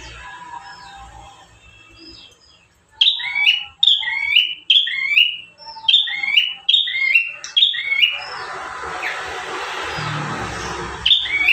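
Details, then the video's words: Bar-winged prinia, one of five song variations used as a master recording to train caged birds; after a quiet start, a rapid, steady series of falling and rising whistled note pairs, then a noisy rustling stretch. "Burung prenjak tamu gacor 5 variasi mantap jiwa"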